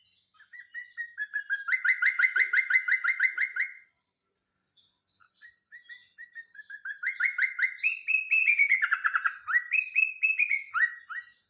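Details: Yellow-vented bulbul song used as a lure for songbirds: long runs of rapid, repeated chirpy notes in a steady rhythm, a pause, then a second, more varied burst with rising and falling whistled phrases.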